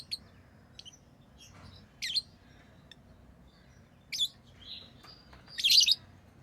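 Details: Tame lovebirds giving sparse, sharp, high-pitched chirps and short squeaks spaced a second or two apart, the loudest a rapid scratchy burst near the end, over a low indoor hum.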